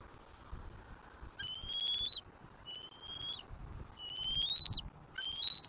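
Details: Southwest Florida juvenile bald eagle, April 2024, squeeing as it mantles over and claims a fish from its father. Four fainter high whistled squeals with slight upward inflection, spaced about a second apart, against a low noisy background.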